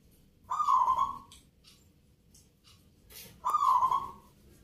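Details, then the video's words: Perkutut, local zebra dove competing in a Yogyakarta rhythm-art contest: a warm, purring coo phrase, a pause of nearly three seconds, then a second matching rolling coo, faint clicks between. "PERKUTUT LOKAL GACOR"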